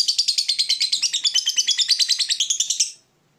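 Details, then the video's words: Ngekek trill from a fighter lovebird, meant to goad rival birds into song: a quick, even run of harsh chattering notes lasting about three seconds, then silence. "Lovebird Fighter ngetik ngekek panjang - Bikin musuh ikut bunyi"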